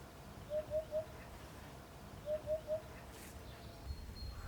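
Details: Male Eurasian hoopoe in Provence sings in spring breeding season, at dawn from a high perch, to attract females: two soft, hollow triple hoots, "oop-oop-oop", low and evenly spaced, repeated after about a second's pause over faint hiss.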